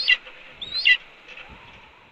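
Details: Female red-tailed hawk at a nest in May, calling at her mate as he brings a chipmunk; two short, harsh, slurred squeals about a second apart, followed by soft rustling.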